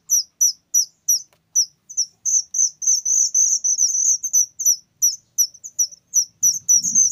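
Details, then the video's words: Whistling thrush chick, very loud, giving high, piercing downslurred notes, spaced at first and then crowding into a rapid chatter before spacing out again; a brief low rumble near the end. "suara anakan burung ciung Batu sangat nyaring"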